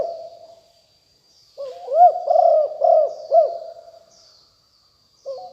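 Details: Decoy spotted dove of a fierce strain, 2021: one full phrase of four mellow, rounded coos after a soft lead-in, framed by trailing and starting coos, over a constant thin high-pitched hum.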